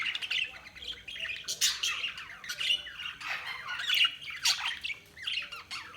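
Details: Continuous budgie chatter, dense squawks and scratchy chirps tumbling over one another almost without pause, with several sharper rising squeaks, heard in a quiet setting.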